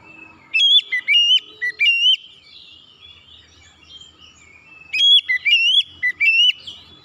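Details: Powerful whistled song of an oriental magpie-robin, a raw untrained bird: two bursts of several sharp, ringing whistles with rising and falling slurs, separated by about three seconds of quiet.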